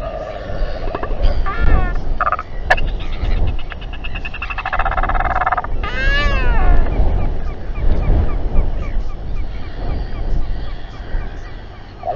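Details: Squabbling group of royal albatrosses near a nesting bird with chick, New Zealand, 7:42 pm, 27 January 2021, nest camera: buzzy rattles, then a loud arched wailing cry around six seconds, with gusty wind throughout.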